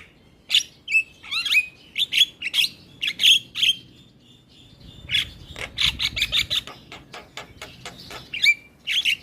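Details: Energetic Javan myna song with head-bobbing, used to stimulate a mute myna: loud grating squawks and rising whistles, then a dense chattering burst and a few last harsh notes.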